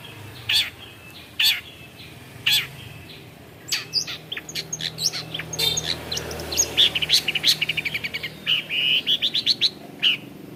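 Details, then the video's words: Long-tailed shrike, a bird known for imitating other birds, delivering a varied run of sharp chirps, short whistles and rapid twittering trills that quicken toward the end, over a low background hum. "CENDET GACOR. Long-tailed shrike bird. Lanius Schach"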